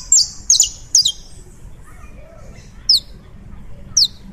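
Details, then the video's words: Saffron finch of the Colombian form in song, opening with three rapid bright chirps in quick succession, then a pause and two more isolated high, descending notes; a quiet low murmur underneath. "CANÁRIO DA TERRA COLOMBIANO CANTANDO"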